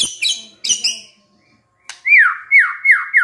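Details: White-rumped shama song, given by a stressed bird reacting to a lure: a few sharp high chips, a pause, then a series of clear whistles that swoop down, each repeated about every half second.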